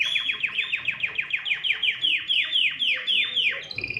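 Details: Excited canary in full song, its singing meant to prompt other birds to sing. About fifteen rapid, clear, downward-slurred whistles repeat steadily, slowing slightly toward the end, followed by a short higher buzzy phrase.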